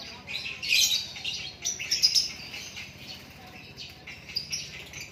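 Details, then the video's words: White-rumped shama, called a Lakbet, singing naturally: bright, high, rapid warbled phrases, loudest near the start and again around the middle, then fading into softer chatter against a faint low background hum. "Lakbet super kicauan natural"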